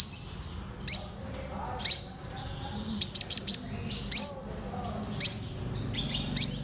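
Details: Purple sunbird singing a series of sharp high upslurred notes with thin sustained tails, interspersed with a fast burst of four clipped chips, phrases roughly every second.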